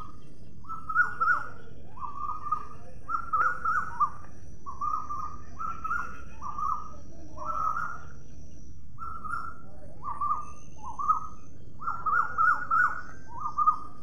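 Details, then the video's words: Parrot giving a long series of short, hoarse, clipped notes, roughly three each second with uneven gaps, some doubled, against a constant low rumble. "Parrot. Video and sound."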